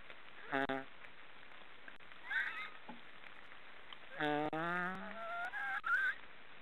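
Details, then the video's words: Black storks snoring: a short nasal honk, then scattered soft wheezes and a grunt, and later a longer rising harmonic call that runs into several squeaky, wavering notes. "Black storks are snoring"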